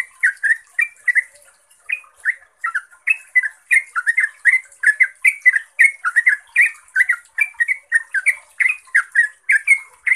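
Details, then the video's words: Yellow-vented bulbul singing its fast 'ropelan' song to make other bulbuls respond: an unbroken, energetic stream of loud, whistled gurgling notes, several each second, with high hiss throughout. "ROPELAN TRUCUKAN GACOR ini bikin TRUCUK lain LANGSUNG NYAUT, GACOR dan ROPEL - pancingan trucuk"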